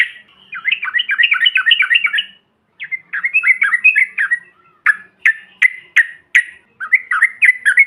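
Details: Yellow-vented bulbul calls, said to provoke other birds into calling: bursts of quick, bubbling warbled notes, then separate sharp chirps spaced about half a second apart, all in a clear mid-high pitch with nothing else heard.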